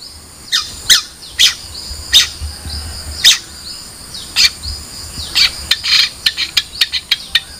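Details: Long-tailed shrike (Lanius schach), song.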